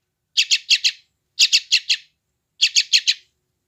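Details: Vigorous young sooty-headed bulbul, West Java, Android phone: three quick groups of four harsh, scratchy chirps about a second apart, otherwise silent. Played to wild-caught bulbuls to reduce stress and encourage response.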